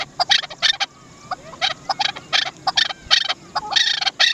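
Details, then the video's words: A chukar partridge (chakor) gives harsh, clucking chuk notes in an uneven series, about two or three per second, over a faint background hiss. "Amazing sound of Dasi chakor"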